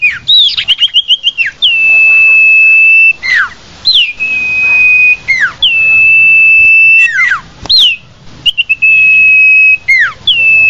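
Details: Common iora lure call used to attract the bird: a quick run of short clipped whistles, then long flat high whistles about two seconds each, with downslurred notes between them.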